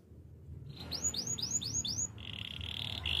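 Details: Spanish Timbrado canary singing for training, quieter: five swooping whistled notes in a row, then a steady rolling trill; low hum behind.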